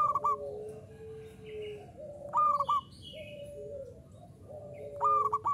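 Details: Zebra dove of local type (perkutut lokal), lively 'uraa umum' song: three loud stuttered coo phrases, each a quick rolling three-note burst, separated by quieter drawn-out tones and brief chirps from other birds.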